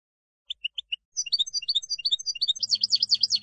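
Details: European goldfinch song used to educate novice decoy birds: four spaced single chips, then a quickening run of liquid twittered notes growing louder, with a low steady hum beneath the final second.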